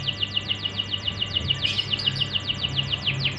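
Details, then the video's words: Canary song used as a lure for young canaries in training: a fast, steady trill of falling high-pitched sweeps, about three or four each second, over a low background hum. "pancingan untuk burung kenari bahan"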